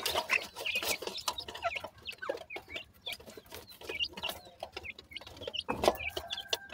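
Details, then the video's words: Grey francolin chicks calling to one another: a busy chorus of short, high, rising and falling chirps and peeps, overlapping constantly, mixed with frequent sharp clicks and tapping noises. "pheasant chicks talk,baby partridge are big great,titur k bachay"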